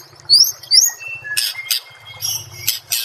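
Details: White-rumped shama song from a training master recording: high, thin rising whistles, then loud, harsh buzzy bursts, with a faint low hum behind.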